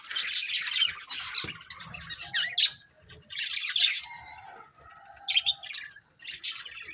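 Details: A family of pet budgies chirping in bursts of scratchy, high warbled chatter, with short pauses between phrases and a few thin whistled notes.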